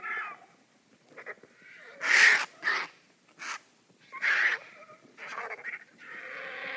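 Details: Vultures squabbling over food give a rapid, uneven series of harsh hisses and scratchy squawks, some loud and some faint, ending in a drawn-out breathy wheeze.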